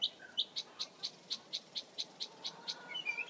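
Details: Mockingbird delivers a steady string of about a dozen identical sharp, high chips, evenly spaced, then shifts to a brief lower warble at the end.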